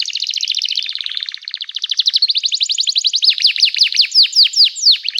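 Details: Canary singing energetically to coax other canaries into song: dense fast rolling trill building into loud, repeated sweeping downslurred whistles.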